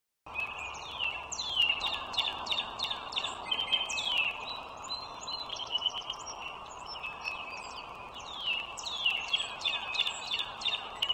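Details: Wild bald eagle along the Dulles Greenway toll road in northern Virginia, 21 March 2023 at 09:15: repeated high, thin, descending piping notes strung into chattering bursts, over a steady broadband hum.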